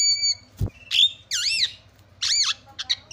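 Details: Javan myna lure sound for making other mynas call: a steady whistled tone, a dull thump, then looping, wavering whistles and a harsh arching call separated by short silences.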